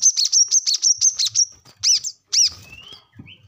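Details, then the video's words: High, clipped chirps from a brown-throated sunbird, recorded to teach captive birds: a quick run of repeated sharp notes, then a few separated louder chirps and a faint thin whistle at the end. "kolibri kelapa | manggar | wiceh | korlap ngobra gacor pancingan / masteran burung korlap bahan"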